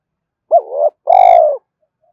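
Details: Spotted dove calling to lure a rival: a short two-part phrase, a quick rising-falling note blending into a soft wavering coo, then a longer steady, slightly buzzy coo.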